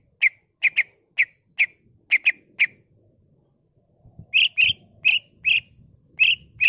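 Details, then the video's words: Greater green leafbird in full lively song, a lure recording: a burst of short clipped chirps, a pause of over a second, then louder rasping notes repeated quickly, over faint low rumble. "CUCAK IJO GACOR BONGKAR ISIAN NGENTROK PANCINGAN CUCAK IJO GACOR FULL ISIAN"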